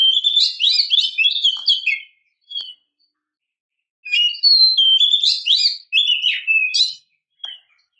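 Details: A female oriental magpie-robin calling a male gives two long runs of rapid, varied whistled and twittering notes, with sliding pitches, separated by a near-silent gap of about two seconds.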